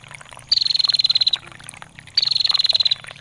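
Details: Two high, rapid, slightly descending trills, each under a second, from a female bar-winged prinia calling ngetir, with softly trickling water between.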